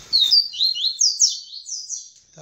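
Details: A "tamborete"-style Double-collared Seedeater sings after mating with the female, a quick, high phrase of slurred, sweet notes, several per second, swooping up and down.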